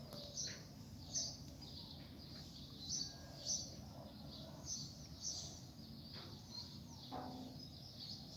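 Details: Caged coleiro of the samurai style, brought out after rain on an overcast morning, sings short bright high chirped phrases repeated about every half second to second over steady low background hum.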